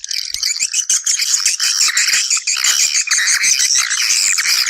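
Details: Swiftlets call others to come and nest in a thick, ceaseless chatter of sharp chirps and squeaky twitters, many birds overlapping at once.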